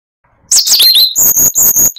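A Siberian rubythroat sings a loud, high, varied phrase: a rush of warbled notes, then a run of sharp, evenly spaced chips about four per second.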